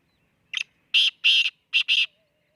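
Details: Harsh, rasping black francolin call known locally as kala teeter: a brief opening note, then two drawn-out grating notes and a closing double note, loud and close, with no other clear sounds.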